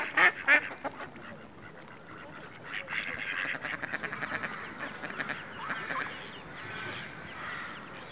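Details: Ducks and ducklings calling together: a couple of sharp loud notes at the start, then a busy overlapping chorus of rapid quacking and peeping, roughly three notes a second.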